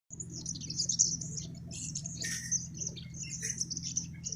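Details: Crimson sunbird (sogon) singing: a dense run of very high, thin, sizzling chirps and trills with short rapid notes, held over a steady low electrical hum.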